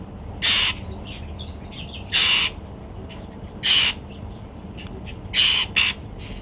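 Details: Golden-fronted Leafbird kept as a pet, breakfasting on apple, repeats loud harsh calls, five in all, the last two in quick succession, amid soft chirps.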